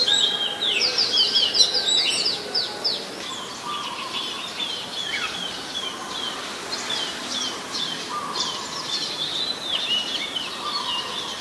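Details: Oriental magpie-robin recorded on a Nikon P1000 in Ubon Ratchathani, Thailand, 23 December 2019: a rapid high stuttering trill opens, followed by quieter spaced whistles and short lower notes against soft outdoor background.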